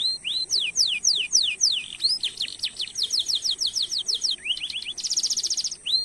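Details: Canary song used as a tutoring lure to prompt other canaries to sing, with long rolls and 'cuit cuit' notes: rapid series of high, steeply falling whistled slurs, upslurred chips, and a buzzy dense trill near the end.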